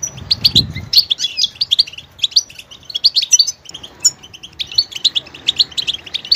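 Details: Goldfinch song full of varied vocal details: fast liquid twitters and chirped notes in quick runs, a brief low thump near the start, then steady chattering phrases.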